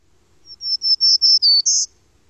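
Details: A Black-throated Green Warbler, a spring migrant passing through southern Quebec, sings a high, buzzy phrase of about six wheezy notes in under two seconds, the final note jumping higher and lasting longer, over a quiet background.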